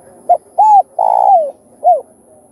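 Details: Spotted dove phrase played to spur other doves into calling, four deep coos in about two seconds: a quick note, a smooth arched coo, a long pulsed coo gliding downward, and a brief arched finish.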